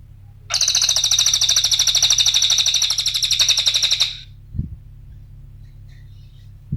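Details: Small minivet (cililin) song used as a lure and master recording: a fast, rattling trill of high, piercing notes lasting about three and a half seconds, then quiet with a couple of low thumps.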